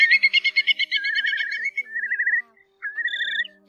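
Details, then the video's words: Whimbrel sounds linked to night migration in August 2024: a rapid burst of pulsed whistles opening into rippling, quavering trilled whistles at even pitch, a short pause, then another rippling trill. "Tiếng Choắt Mỏ Cong Bé , Móc Còng Bé"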